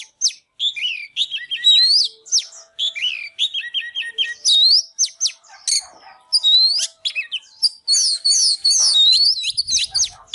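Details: Oriental magpie-robin fired up, singing and dancing: a varied series of high whistled phrases, rapid repeated note groups, and a closing flurry of fast scratchy trills.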